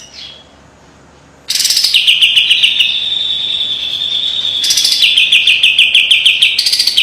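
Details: Training master song from a white-eye: after a faint opening note, a long, steady trill of fast, bright, repeated high chips runs to the end.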